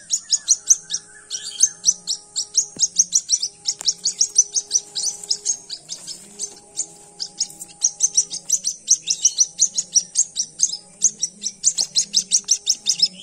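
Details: Chick of a white-breasted waterhen, found at dawn, peeping continuously: shrill, high cheeps packed closely, several per second, over a long run; a faint steady tone and low hum in the background.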